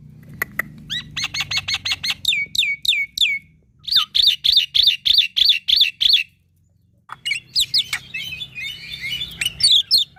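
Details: Young black-winged myna singing a full fill-in song used as master for training all mynas: fast, regular trains of ringing chips and curled whistles, a short silence, then tangled scratchy warbling and chirps.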